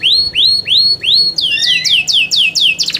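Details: Caged Yorkshire canary singing competition material: a series of rising whistled sweeps, about four slow notes, then quicker descending slurred notes and a brief rapid trill at the end.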